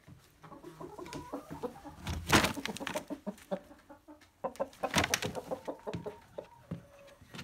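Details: Chickens in a coop, a rooster with curious hens being interacted with: low clucks and brief mid-pitched calls come through between loud rustling, handling thumps and bursts of noise.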